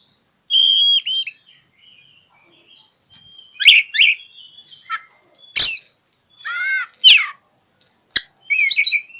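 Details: Oriental magpie-robin singing as if seeking a rival, used as a lure for silent birds: high whistled slurs, then loud harsh downslurred notes and buzzy phrases in irregular bursts, with quiet warbling between them.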